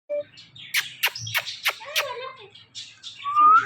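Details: Green talking parrot kept as a pet, chattering in a string of short speech-like syllables and squawks, ending in a rising whistled note; music plays faintly underneath.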